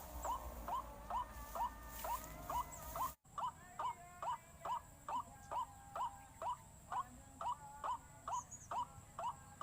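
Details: Lure recording of white-breasted waterhen used to drive the birds into a panic; clipped, upward-curling notes repeat at a quick, even pace, a brief gap splitting the sequence early on.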